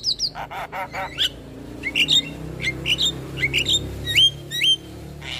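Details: Javan myna morning call that triggers replies from other mynas: nasal chattering notes open, then a mix of sharp whistled upslurs and squeaky chirps, with a faint low hum underneath.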